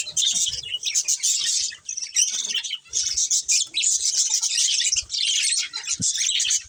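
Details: Colony budgies including a breeding pair chatter in long high-pitched warbling bursts broken by short pauses every second or so, with a few faint low knocks.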